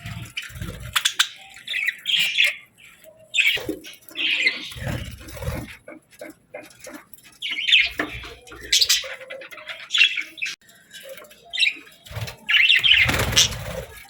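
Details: Scattered short, bright chirps and squeaky notes from happy pet budgies as they eat favorite food, mixed with clicks, taps and low bumping sounds.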